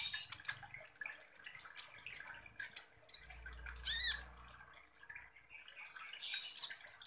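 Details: Kolibri ninja sunbird lure song: a rapid, even trill of very high notes, then chirped phrases and a set of stacked up-and-down squeaks, a quieter pause and a final burst of shrill chips.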